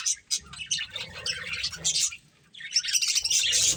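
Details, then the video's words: Pet budgerigars, colourful, chattering in high squeaky chirps and warbles, a lively burst, a short quiet pause near the middle, then another dense outburst of chirping. "Colourful Budgies Chirping Sounds"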